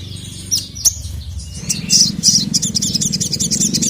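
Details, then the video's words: Excited sogon, a spiderhunter, calling for a male: a few isolated sharp high notes, then a fast dense burst of chattering chirps over a steady low rumble. "SOGON MANAPUN NGAMUK GACOR LANGSUNG EMOSI dengar masteran burung sogon memanggil jantan ini"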